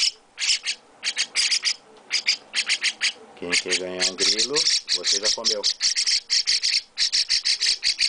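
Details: Chestnut-cheeked starling chick beside its owner during feeding, sending out dense volleys of shrill, raspy chirps that grow nearly continuous, overlapping a person's speech in the middle.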